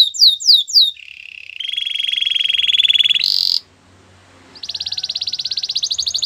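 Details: Canary song meant for training other canaries: quick rising slurred notes, then a long low rattling roll, a short high buzz, a brief pause and a fast bright trill.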